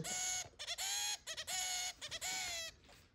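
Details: Indoor pet zebra finch, half a year after arriving in its home, repeating bright nasal trumpet-like calls, four long honks with short stuttered notes between them.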